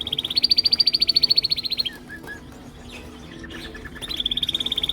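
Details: Caged male canary song, sung to impress: a loud, even rolling trill at high pitch, a pause with soft short notes, then the fast trill resumes.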